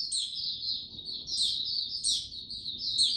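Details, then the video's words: White-eye male on 6 March 2022, slow and steady before fully opening his song: an unbroken thin, high warbling stream with three sharp, brighter upward flicks. "Mata Puteh Before he open buka Tsunami Video 1 gaining confidence to buka slow n steady"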